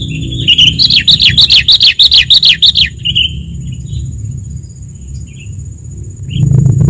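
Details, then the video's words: Sooty-headed bulbul recording played to lure and train birds: a fast, even series of about ten rising-falling whistled notes in three seconds, then scattered soft chirps, with low rumble swelling near the end. "SUARA PIKAT KUTILANG DIJAMIN AMPUH 100% || Masteran Kutilang"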